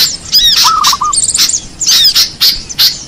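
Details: Small-bird lure sounds: sharp high squeaky chips, a short run of five low chattering notes, then a quick high trill, followed by scattered bright chirps.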